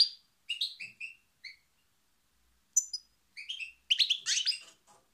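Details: European goldfinch song of quick, high chirps and liquid twitters, a few clipped notes at first, then a brief gap and a busier, buzzy tinkling run of notes.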